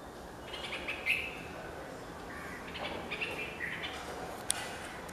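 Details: Red-vented bulbul calling: a few short, bright chirped notes, one near the start and others clustered in the second half, with a steady background hiss and faint other sounds throughout.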